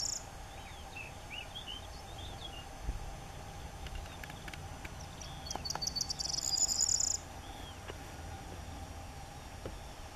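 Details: Corn bunting song filmed with an SX50 HS: a few soft slurred notes, then accelerating ticks, then a bright, metallic jangle about two seconds long ending abruptly midway. Quiet background hiss follows.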